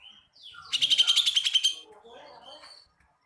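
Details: Oriental magpie-robin joining another bird in energetic singing: a fast, rattling trill of about a dozen sharp, evenly spaced notes lasting a second, followed by softer, lower chattering fragments and faint murmuring, possibly voices.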